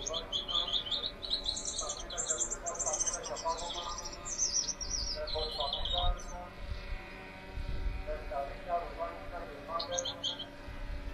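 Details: Gouldian finch, one of a pair, sings high buzzy, wavering phrases for about six seconds, then falls quiet and gives one brief phrase near the end, while lower voices or chatter run underneath.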